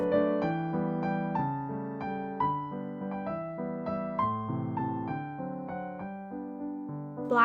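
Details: Gentle piano music playing slow chords and a melody, with no animal sounds.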